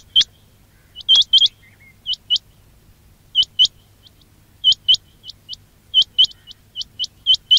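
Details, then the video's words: Quail calls meant to attract quails for hunting. Sharp rising chips come in pairs and triplets, evenly scattered, with a run of single notes toward the end over a faint hum. "quail batair ki awaz"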